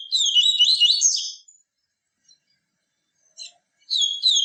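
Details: 'Tui tui viviti' pure song of a captive yellow-bellied seedeater. A rich, rapid warble of high chattering notes lasts over a second, then pauses before another bright phrase begins.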